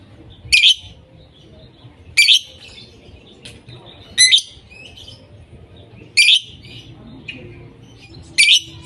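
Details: Lovebird giving loud, harsh, shrill single squawks spaced about two seconds apart, with soft faint chirps and low room noise between them.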